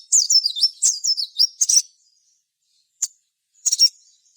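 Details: Crimson sunbird singing in a lively, vigorous style, used as a lure to prompt other birds to sing and answer. A high, rapid twittering run of sharp, slurred notes, then a short pause and two brief high chirps.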